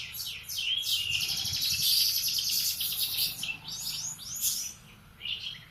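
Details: Canary in the morning giving a long, rich trilled song of fast repeated high notes, followed by a few sweeping whistles and a pause.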